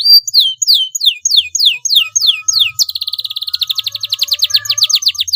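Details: Young canary learning its song, starting to roll long: a series of steep downslurred whistles about every quarter second, then a fast, even, extended rolling trill to the end.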